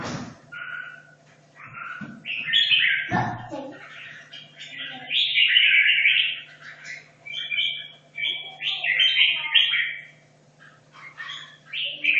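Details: Red-whiskered bulbul in a cage for two and a half years, training for a song contest, pours out long bright warbling phrases with rolling whistled notes, a sharp knock early on, and a constant low background hum.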